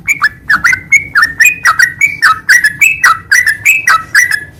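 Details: Sooty-headed bulbul singing: bubbly, liquid whistled notes that dip and rise, given in quick chattering phrases about every half second, with no other clear sounds.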